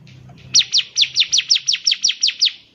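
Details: Bar-winged prinia song for training young birds: one steady trill of about eleven sharp, descending chirps, with a faint low hum before it starts.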